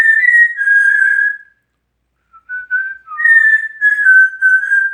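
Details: Self-composed whistling by a male African Grey kept as a pet: a long sustained whistle sagging slightly in pitch, a pause, then short notes leading into a longer wavering whistled phrase.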